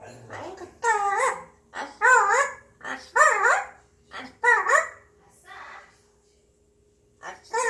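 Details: A pet Grey parrot, seemingly in a good mood, hums to itself alone in rich, voice-like phrases that waver up and down, about one a second, with short pauses between bursts, in a quiet room.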